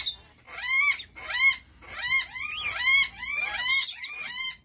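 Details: Squealing rainbow lorikeet notes come in quick succession, about one or two a second, each a curved rise-and-fall squeak, some overlapping as if from more than one bird.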